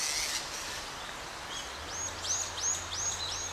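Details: Gray starling at Ginga no Mori, Chuo-ku, Sagamihara, Japan, filmed while flinging a small lizard against the ground; after a noisy start, a series of short arched chirps repeats about three times a second over a steady low hum.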